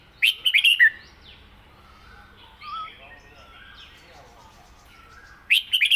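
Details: Caged red-whiskered bulbul singing the southern song style: a burst of five quick, warbled whistles, a quiet gap with faint chirps, then another loud phrase beginning.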